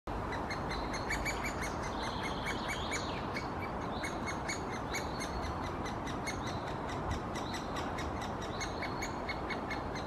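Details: Great spotted woodpecker (Dendrocopos major) nestling calling from the nest hole while the female parent visits to feed it, Helsinki, Finland, June 2021: a continuous, rapid chatter of sharp, ringing notes over a rushing background of wind or leaves.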